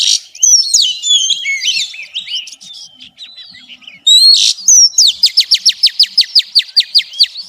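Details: Xùy song of a female Oriental magpie-robin stimulating males: tangled whistles and chirps, a softer lull, then a steady train of about fourteen crisp, rapid downslurred notes.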